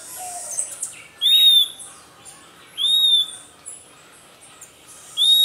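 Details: A Puerto Rican flycatcher defending its nest against a pearly-eyed thrasher gives three loud, arched, slightly buzzy calls about every two seconds, with fainter high chirps between them.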